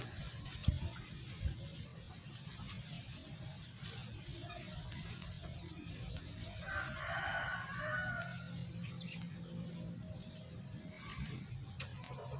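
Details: A pure-white, champion laughing chicken (ayam ketawa) rooster crows in a quiet, rolling voice over a steady low background hum.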